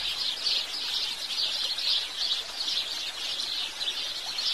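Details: House sparrows chirping together in a dense, unbroken chatter of bright, overlapping notes that swell and ease every half second or so, with a soft hiss beneath.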